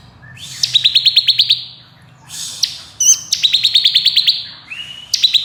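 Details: Bar-winged prinia of the crystal variety giving rapid ngebren nembak song, meant as master song for champion birds: upslurred whistle then quick series of sharp buzzy pulses, repeated in bursts separated by short gaps.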